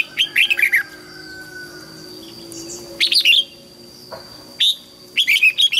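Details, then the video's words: Red-whiskered bulbul singing to teach young white-cheeked birds and spur caught birds to sing: several brisk warbled phrases of bouncing whistled notes, separated by short pauses, with a faint hum behind. "Chào mào luyện giọng giúp má trắng học giọng hiệu quả, kích chim bổi nhanh hót và căng lửa."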